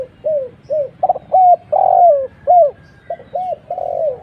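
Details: Spotted dove calling as a lure for other doves. A quick run of about nine arched and falling coos, some long and drawn out, others short and clipped, over a soft low hum.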